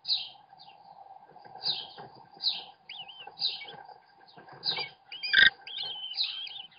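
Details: Webcam capture of an American kestrel dad feeding his kids: a string of harsh high rasps about every second, then wavering whistled chitters and a loud thud, with a low hum throughout.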